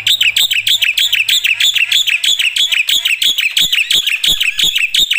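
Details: Loud black-winged myna in full song with mimicked fill notes: a fast, steady run of sharp, high chirps, roughly three per second, with a faint low hum early on.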